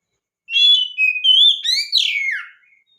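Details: Kacer, or oriental magpie-robin, singing a lure phrase meant to stir other magpie-robins into song: clear whistled notes glide and warble upward, then a bright slurred descent ends the single two-second phrase over a silent background.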